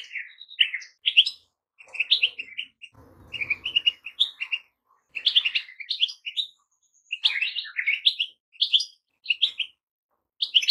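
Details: A steady stream of goldfinch song: tinkling chirps and twitters in short repeated phrases, with a brief low rumble early on.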